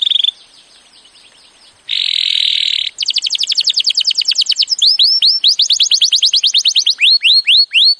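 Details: Canary training song starting with short harsh buzzy bursts, then a rapid rattling trill and a run of loud rising whistled swoops repeated at an even pace.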